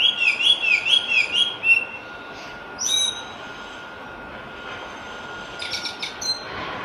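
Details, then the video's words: Wild Javan pied starling delivering a fast run of pulsing whistled notes, about seven in quick succession, then scattered sharp chirps after a quiet gap, with a constant thin background hum. "jalak lawu gacor di alam"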